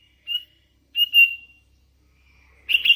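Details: Hand-reared Sooty-headed Bulbul uttering short clear whistles, one brief and one longer drawn-out note, then a burst of rich warbled notes at the end.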